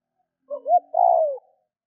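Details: Spotted dove call meant to stimulate other doves to call quickly: a short low coo, a brief rising note, then a long drawn-out coo that slides gently downward, in clean quiet surroundings.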